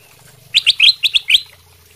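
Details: Kutilang emas bulbul in eager song to prompt replies from other birds: six quick, bright chirped notes in a rapid run lasting about one second.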